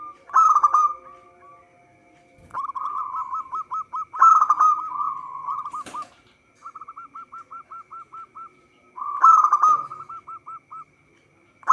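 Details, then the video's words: Local zebra dove in full song for use as a trapping lure: repeated cycles of a loud rolling burst and long strings of quick hooked coos, roughly every few seconds, a sharp click heard midway. "Perkutut lokal gacor suara cocok untuk pancingan"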